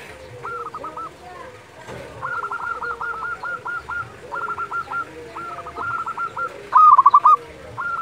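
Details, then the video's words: Local zebra doves calling at dusk: repeated rolling, stuttered coo phrases throughout, overlapping from several birds, with one louder, close burst of rapid throbbing notes near the end. "perkutut lokal gacor panggilan waktu senja"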